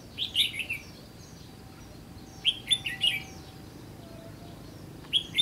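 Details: Red-whiskered bulbul, called white-cheeked locally, recorded during trapping in the Gulf of Tonkin region: three bright warbled phrases of quick chirpy notes, the first two close together, the third a short burst near the end, over quiet background hiss.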